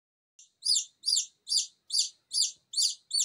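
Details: Newly hatched Silkie Serama chicks, still wobbly and damp from the incubator, crying without a mother hen: loud, high, downslurred peeps repeated evenly about twice per second in an indoor room.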